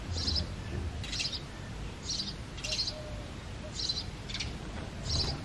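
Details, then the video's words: Male house sparrow chirping in the breeding season: single short, bright chirps repeated roughly once a second. A continuous low hum runs beneath them. "The Sparrow Calling"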